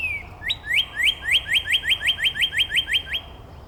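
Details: Closest of several neighbouring Northern Cardinals singing in Angrignon Park on March 19. A brief falling whistle opens, then about thirteen loud, evenly spaced upward-sliding whistled notes repeat rapidly, several per second, over quiet low rumble.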